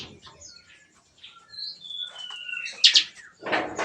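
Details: Captive bar-winged prinias in a breeding aviary cage, singing busily in the morning in a style likened to gunfire. Thin, high whistled slurs and quick chirps are broken by loud, harsh bursts toward the end.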